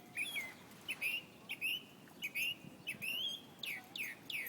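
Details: A bird singing a series of clear, whistled phrases, each a short note sliding up then holding, repeated roughly every half second with brief pauses and a few sharp downward strokes near the end.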